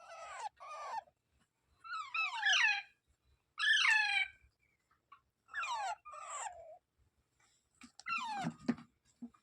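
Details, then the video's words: Parrot uttering a series of separate harsh calls, roughly every one to two seconds, each a buzzy screech sweeping down in pitch, some doubled, with faint background knocks. "Natural Parrot Sounds"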